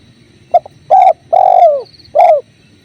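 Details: Single phrase from a spotted dove with river flow behind: short introductory note, a fuller coo, a long sliding descending coo and a last shorter coo, all low and mellow.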